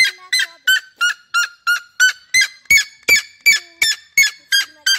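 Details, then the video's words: Red-legged seriema giving evenly spaced, loud yelps about three per second, each note harsh and rising slightly, in a clean recording with faint softer notes between. "O canto da Seriema"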